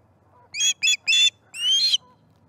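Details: Osprey at the nest during the morning fish feeding, 18 September 2019, giving four sharp whistled cries, the last longer and rising, over a low rumble of background noise.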